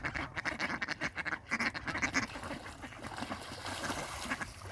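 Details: Loud, raspy quacking from fighting ducks, coming in quick clustered bursts early on, then easing into softer, scattered calls over steady background hiss.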